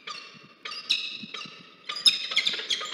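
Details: Peregrine falcon pair briefly meeting at a nest in Orange, New South Wales, Australia, filmed 2 January 2023 on a research nest camera: harsh, ringing harmonic calls in three drawn-out bursts, then a burst of sharper, overlapping notes.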